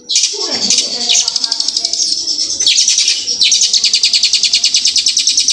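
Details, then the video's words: Hill prinia delivering a loud rolling song in the fast, long-burst style called roll speed tembak panjang. A brief lower sweeping sound opens, then piercing high notes pour out in rapid, evenly pulsed trills with two short breaks. "suara ciblek gunung kristal roll speed tembak panjang gacor volume keras"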